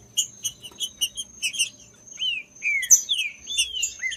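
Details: Warm-up song of a green-winged saltator for stimulating a cold bird: evenly spaced high chips for two seconds, then three clear downward-sliding whistles, with a thin continuous high tone beneath.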